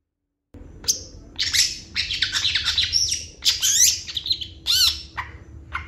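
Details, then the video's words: Long-tailed shrike in full varied song: fast scratchy chatter, harsh buzzy notes and sharp arched whistles tumbling together with barely a pause, over a constant low hum. "CENDET GACOR FULL ISIAN CEPAT DI RESPON PENTET LAIN"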